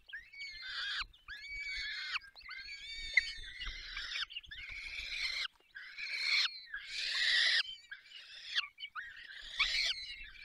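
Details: Falcons being fed at their nest in the Barycz Valley, Poland: a rapid series of harsh, rasping screams, about one per second, varying in loudness, with faint low rumbling beneath.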